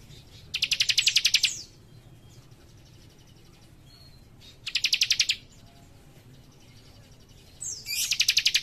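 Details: Young cikrak singing actively, giving fast, dense bursts: three rapid trills of evenly pulsed high chirps, each about a second long, separated by quiet gaps of several seconds, with a faint low hum beneath.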